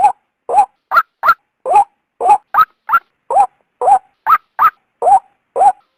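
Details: {'caption': 'A female white-breasted waterhen gives luring calls for the male. Rasping notes repeat briskly, higher doubled notes interleaved with lower upslurred ones, around two and a half per second, with a quiet background.'}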